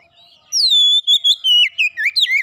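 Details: Lure song of an Oriental magpie-robin, meant to coax magpie-robins into singing: a bright falling whistle followed by a string of swooping whistled notes, clean and loud against silence.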